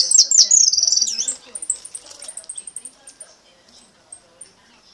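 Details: A brown-mutation European goldfinch gives its repique and retinido song: a fast, bright burst of high liquid twitters and trills, then scattered softer, thin notes.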